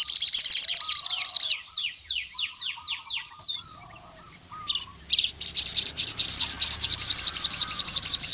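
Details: Crimson sunbird singing to call rival males. Dense high chipping opens the passage, followed by falling slurred notes and a pause. A long rapid series of sharp chips returns, with a faint lower warble behind.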